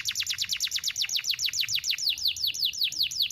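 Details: Canary master song, sharp and sustained, meant to get young canaries singing. Rapid repeated high notes sweeping steeply downward, the tempo easing slightly toward the end.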